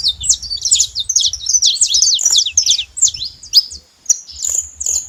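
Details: High, sharp chirps from a saffron finch pour out in a fast jumbled run, then thin to a few spaced notes near the end; a low pulsing hum sounds underneath.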